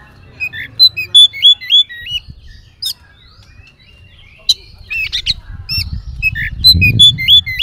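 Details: Varied Oriental magpie-robin song used to provoke other magpie-robins into singing. Clear, looping whistled notes come in quick succession, then sharper chips and slurs, with a rumbling low background growing toward the end.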